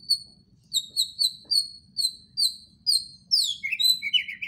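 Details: White-rumped shama repeating short bright notes in a regular string, then switching to swooping downward slurs and chattering phrases.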